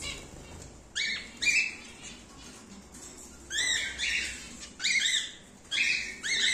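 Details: Rare emerald split cockatiel pairs in captivity; harsh, nasal screeching calls with strong overtone bands, repeated in short bursts about every half to one second, background quiet hiss.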